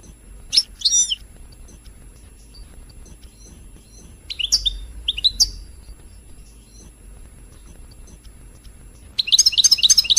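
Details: Royal goldfinch, used to excite singing: scattered bright chirps and short twitters with long quiet gaps, then a busy burst of high twittering at the close.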